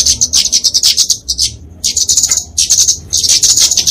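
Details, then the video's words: Kemade flowerpecker fighting song for training and luring small birds: high, thin, twittering bursts with rapid ticks, broken by a clear pause midway before the chatter resumes. "Kicauan Kemade Tarung"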